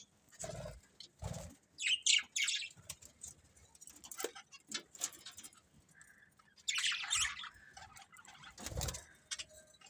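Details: Fairly quiet budgie chirps: two clear bursts of high squeaky twittering stand out among scattered clicks, light tapping and a faint steady hum.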